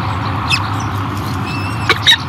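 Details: Peregrine falcon nesting at Great Spirit Bluff in 2023, a female feeding her new hatchlings: brief high, harmonic squeals and peeps near the start and in quick bursts toward the end, with a thin drawn-out tone between, over a steady low rumbling hum.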